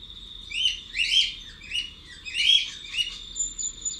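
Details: Cockatiel in an aviary, recorded from outside, chirps in bright, rising bursts of about a second, over a steady high whistling tone and a faint hum from other birds.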